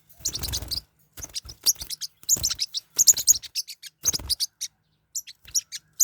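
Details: Squabbling pet forpus parrotlets give repeated clusters of shrill, buzzy chirps and chattering notes, each burst lasting under a second and separated by short silences, some bursts with a rough, noisy edge.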